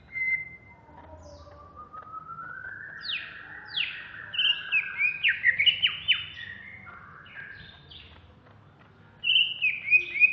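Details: Agitated caged greater green leafbird from Alas Purwo, contest-ready, in Jatiasih, Bekasi. A long rising whistled glide leads into a rapid jumble of steep downslurred notes and twittering phrases, then a brief pause before a fresh burst.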